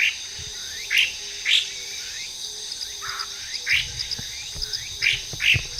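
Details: Wild Chinese hwamei giving short bright whistled notes, spaced unevenly about every half second to a second, with quiet gaps between them and a constant high-pitched insect hum behind.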